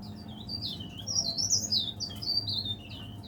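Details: Leaf warbler, a cage bird said to sing from morning to afternoon, producing fast, high, slurred twittering notes in a continuous ribbon, with faint low hum in the background.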